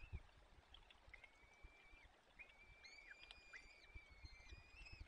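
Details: Peregrine falcon chicks at the nest in the Barycz Valley, 30 April 2020 at 14:28, as the male arrives with prey and feeds them; thin whining calls near one pitch, drawn out and repeated with gaps, over a low background rumble.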